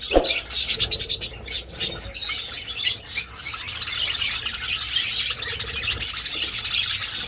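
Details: Many budgerigars in an old aviary, flying about: a low thump at the start, then a constant high, chattering warble with sharp chirps bursting through, steady to the end.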